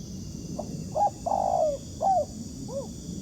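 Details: A trapped-for wild spotted dove replies to a decoy with a phrase of brief clipped notes, a long descending coo and a fading last note, against a soft steady background hiss.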